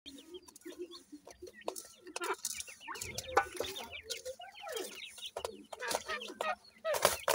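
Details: Grey francolin chicks, called dakhni teetar, being cared for by their parents; many thin, rapid peeping notes slurring downward, dense and overlapping throughout, with louder clucking and scratchy bursts mixed in.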